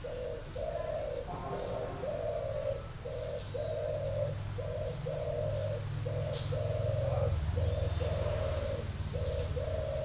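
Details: Caged spotted dove at a bird farm in Ba Vì, Hanoi, Vietnam, cooing in steady mellow low notes grouped in short repeated phrases, roughly two notes per second, over a constant low hum and faint background chirps.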